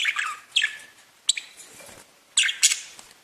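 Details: Pet budgerigars chirping: scattered bright, harsh chirp bursts separated by quiet gaps, with a faint low rustle between calls.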